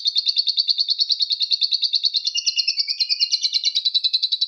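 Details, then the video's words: Lovebird of the paud variety giving its long ngekek song: a continuous, rapid, buzzy trill at high pitch, pulsing about ten times a second without a break for over four seconds, with a slight dip in tone midway. "Love bird paud ngekek"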